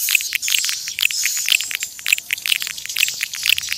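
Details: Wild swiftlet lure call: evenly spaced sharp chirps, roughly two per second, each set in a quick clicking chatter, with a faint hissing background.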